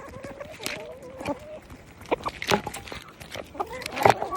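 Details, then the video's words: Chickens calling, with short tonal notes held around a steady pitch, a few sharp clucks and clicks, and rustling scratches in between. "Who else loves the sound of chickens being chickens?!"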